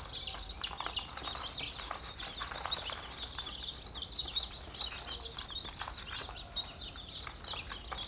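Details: A flock of chicks calling: many high, arched peeps tumble over one another in a steady chorus, with some brighter cheeps standing out now and then.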